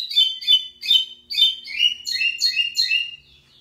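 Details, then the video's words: Lined seedeater, locally called pico plat, singing strongly: a fast run of sharp, high chirped notes in short bursts, about eight phrases in under four seconds, shifting to slightly lower slurred notes toward the end, with a quiet background. "Local Pico Plat singing big"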